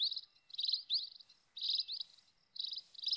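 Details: Wild scaly-breasted munia calls used as a lure for finches: short high buzzy chirps around 4k, in bursts of several notes separated by brief pauses, with faint higher hiss in the background.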